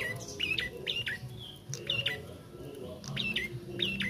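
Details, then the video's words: Bar-winged prinia chick trying out its song: scratchy chirped notes repeated in small clusters about every half second to second, some sliding downward, over constant low rumbling background noise. "Prenjak Anakan/Trotol Belajar Bunyi/Prenjak trotol Gacor"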